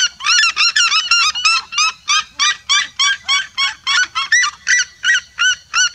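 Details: Red-legged seriemas, a whole flock singing together, a vibrant chorus of loud yelping barks repeated about three times a second, several birds overlapping in a steady, pulsing rhythm.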